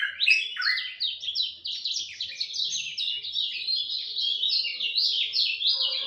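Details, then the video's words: Dawn song of a lemon-bellied white-eye, an energetic continuous warble of high chirps and slurred twitters rising and falling rapidly, with a faint lower note near the end. "Kicau Joss Kecial Kuning Subuh"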